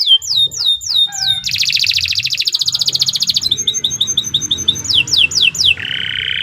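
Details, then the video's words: Loud Nusantara canary song: quick descending whistles, a long dense rolling trill, staccato twittering, more falling slurs, then a steady lower buzzy note. "Suara Burung Kenari II GACOR PANJANG Cocok untuk Masteran"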